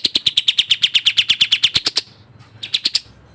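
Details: Sooty-headed bulbul, locally kapas tembak, delivering tightly packed 'speed rapat' song: about fifteen bright, high chips in a fast two-second burst, then silence and three more notes.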